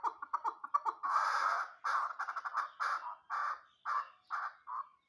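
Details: Hybrid chukar partridge, an immature fighting bird, opening with quick clipped clucks, then switching to longer raspy chuk-ar phrases repeated about every half second and slowing slightly, with no other sounds.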